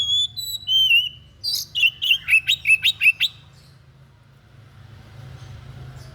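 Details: White-breasted bird singing an odd tutor song for training songbirds: a few clean whistles lead into a fast run of about eight sharp, chattering notes, then the bird falls silent over steady low background hum.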